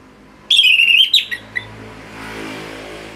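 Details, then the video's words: Orange-headed thrush kept as a song tutor, giving one long wavering whistle that dips slightly, then a few short trailing chirps, before a passing vehicle rumbles behind. "ANIS MERAH Gacor Suara Rapet Bagus Untuk Memaster Burung Punglor"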